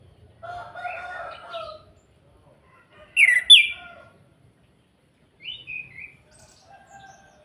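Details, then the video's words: Orange-headed thrush singing kretekan to provoke other birds: a soft warbling phrase, a loud burst of sharp high whistled notes, then short descending whistles and faint low notes after brief pauses. "Pancingan Anis Kembang Agar cepat bunyi, suara kretekan Ampuh dan Plong, Pancing emosi"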